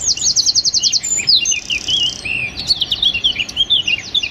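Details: Small wren giving tight, rapid 'tembakan' bursts meant for training songbirds. A quick row of high, even notes opens the phrase, then a wavering whistled warble follows, and further clipped trills close it.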